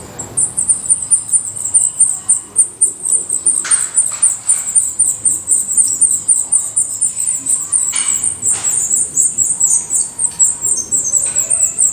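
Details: Black redstart nest in Portugal, with a long run of thin, piercing high notes repeated rapidly and fairly evenly, interrupted now and then by soft broadband rustles.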